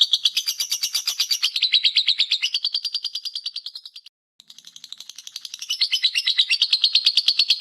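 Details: Lovebird ngekek trill used for master training: rapid high buzzy chirps that drop slightly in pitch, fade into a brief silence, then resume and build back to a loud fast rattle.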